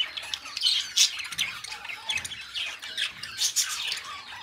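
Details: Budgerigar pair warbling together: bright clicking chirps, buzzy trills and squeaky whistled notes tumble in a steady stream, a few louder sharp peaks standing out.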